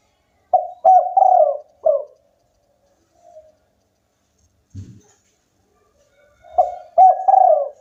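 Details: Spotted dove of a local strain, in full song: a burst of quick hoarse coos with a longer middle note, then a faint distant coo and a dull thump, before another cooing phrase begins.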